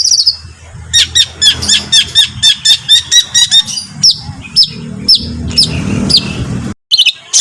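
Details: Songbird for a competition-bird master recording: a series of about a dozen sharp, repeated chattering notes, then sparser slurred whistles over steady low background rumble.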